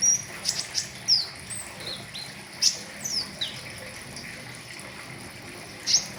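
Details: Flowerpecker kept in a cage, its riwikan song recorded to tutor other birds: piercing high ticks and brief slurred whistles in loose clusters, with a longer pause before a final sharp note, against low hiss.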